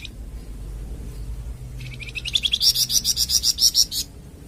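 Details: Song of the Flamboyan bird for masteran training and pancingan of captive songbirds. After a quiet start come soft chirps, then a strong, rapid string of piercing, evenly repeated notes for over a second.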